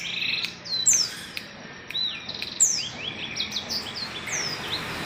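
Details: Blackseng in lively song, recorded on Tuesday 19 December; thin high whistles and sharp falling chirps in irregular bursts, about one phrase every two seconds, with faint background hiss.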